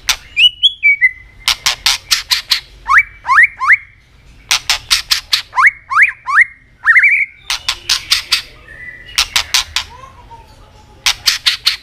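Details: A robin, an Asian songbird, repeats sets of three rising whistled slurs and a rising buzzy note. Loud trains of sharp clicks come between the phrases.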